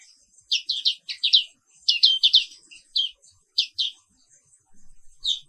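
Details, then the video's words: Black-capped white-eye of the Papua 'wiklus' type in the morning, delivering paired high falling chirps in quick groups, then a few spaced notes and a final burst. "Suara Terapi Pagi Pleci Papua Wiklus | Auto Aktif & Ngerol Terus"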